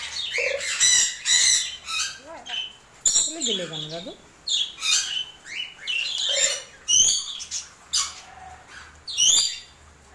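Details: A pet African grey parrot being fed okra, which it keeps throwing away, gives bursts of high, raspy squawks and chatter while a person speaks softly nearby, with wind from a storm outside.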